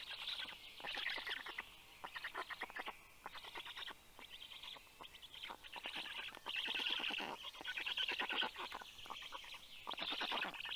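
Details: Nestling black storks greet a parent returning with fish, 11 June 2022, 9:56 AM: long runs of fast, raspy, rattling pulses, in bouts broken by brief pauses, from several chicks at once.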